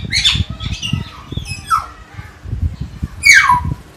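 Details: Common hill myna at Jatiasih, Bekasi, giving three loud, harsh calls that sweep downward, each trailing into a falling whistle, spaced over four seconds, with low thumping background noise throughout.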